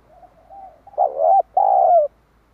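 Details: Lure call of a spotted dove meant to draw in wild birds: faint coos lead into a powerful paired phrase, a short rough coo and then a long, falling one.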